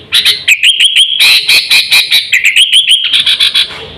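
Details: Brisk sooty-headed bulbul lure call for attracting wild birds and training pet birds: evenly spaced sharp chip notes, roughly four per second, riding on bright wavering whistles.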